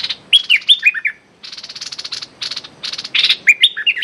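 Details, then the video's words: A decoy streak-eared bulbul calls at a captive female: bright falling whistled notes in quick series, broken by a stretch of fast dry buzzy rattling, then more whistles. "เสียงต่อนกดอกแตงEp.167 จ้าวขุนศึกร้องริกใส่เชลย"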